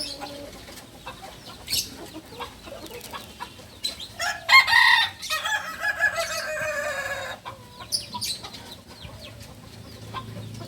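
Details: Beginner Balenggek cock, native to Solok in West Sumatra, crows loudly in mid-recording: a bright, layered, wavering call lasting about three seconds. Scattered clicks and faint background chirps come before and after.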